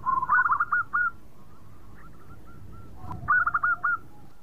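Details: Local zebra dove singing melodiously, a song said to set off other birds singing: two bursts of rapid, rolling cooed notes, each phrase a quick stutter ending in a longer coo, with soft faint coos between.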